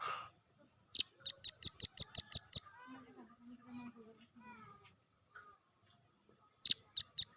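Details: Velvet-fronted nuthatch song, a recording used to train other birds: a fast run of eight piercing high chips, then a long quiet gap with faint low murmurs, then another brisk burst of chips.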